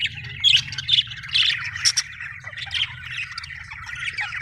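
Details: Australian budgerigar chirping, described as happy: rapid chattering warble with bright, sharp chirps repeated about twice a second, over a low background hum.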